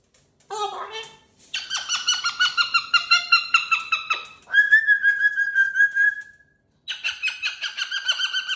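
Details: Indoors, a caged cockatoo with fresh jingly cage toys chatters in rough, buzzy speech-like phrases, then a sustained wavering tone, and closes with another harsh pulsed run of syllables.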